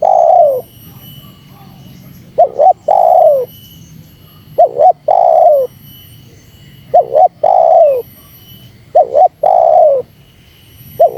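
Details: Repeated spotted dove call aimed at drawing out wild doves. About five phrases, each a rapid doubled wavering note and then a long descending coo, with regular pauses of roughly a second between them.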